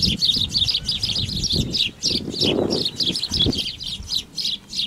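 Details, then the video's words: Male black-tailed godwits battle for the best nesting territory in a meadow, the strongest winning; steady, fast series of sharp nasal calls, about three per second, continues throughout over low thumps and rustling. "Ook bij de grutto's vechten de mannen"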